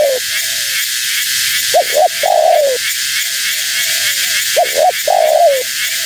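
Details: Female spotted dove calling to lure wild doves. Two phrases of clipped double notes run into long falling coos, separated by quieter drawn-out coos. Steady hiss sits behind it.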